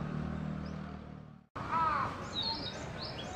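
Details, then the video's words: A male Narcissus flycatcher newly arrived on spring migration in 2014 sings loudly: a clear, slightly falling whistle, then a few quick high chirps, after a stretch of low traffic rumble. "キビタキ♂ Narcissus Flycatcher さえずり"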